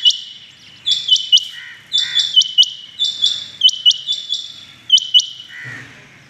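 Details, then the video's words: Rain quail calling in the morning, 6 July 2021: sharp, high, metallic notes in quick pairs and short runs, repeated about every second, with a brief low rustle near the end. "today rain quail calling"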